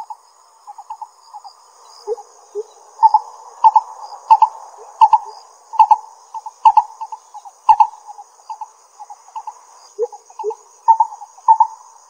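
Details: Lesser coucal calling in Pingtung County, Taiwan, 22 May 2016: a long run of hollow doubled notes, quiet at first, swelling louder mid-sequence, then fading, with a few lower slurred notes and a thin constant high whine.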